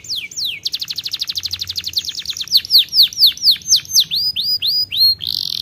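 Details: Canary singing two falling whistles, then a very fast even trill that slows into loud, separate downslurred notes about three per second, ending in a harsh buzz.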